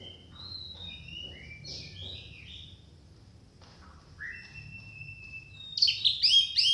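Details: Song of an orange-headed thrush, meant to stir a quiet captive bird into singing. Quiet sliding whistles and twisting notes build slowly, ending in a loud cluster of sharp, high, rapidly repeated chirps.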